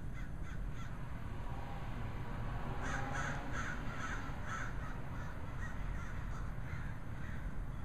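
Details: Flocks of black birds perched on a power line in a neighbourhood, 9 July 2011, filmed with a pocket camcorder: harsh cawing notes in a loose overlapping burst midway, over a constant heavy roar of wind or traffic.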